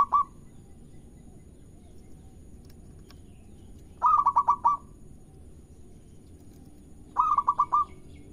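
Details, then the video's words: Zebra dove of local stock, played to prompt other birds to sing: a brief cooing phrase, then two separate quick runs of about five throaty, pulsed coos a few seconds apart, with quiet low rumble between phrases. "Perkutut Lokal Gacor Irama Merdu Bikin Lawan Ikut Bunyi"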